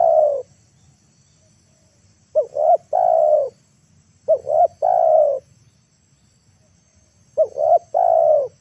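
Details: Spotted dove kept as a lure to draw wild birds to the ground, cooing steadily: the end of one phrase, then three more phrases of two short rising hoots and a drawn-out mellow coo, spaced about two to three seconds apart.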